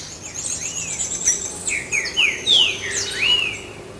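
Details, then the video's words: Green-winged saltator recorded in nature: a run of clear whistled, slurred notes, several rising then falling, with one loud upswept whistle near the middle, over soft background birds and faint ambient noise. "TRINCA FERRO NA NATUREZA"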